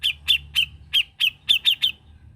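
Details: A grey-cheeked bulbul (cucak jenggot) in gacor song, recorded as a master: eight separate sharp, slightly down-slurred chip notes, spaced about a quarter second apart, over a faint low hum.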